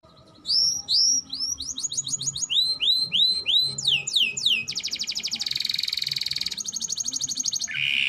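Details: Canary singing a fast, varied song: repeated rising whistled notes at first, then sweeping downward slurs, a dense buzzy trill held for several seconds, and a lower rolling trill at the end; faint low hum beneath.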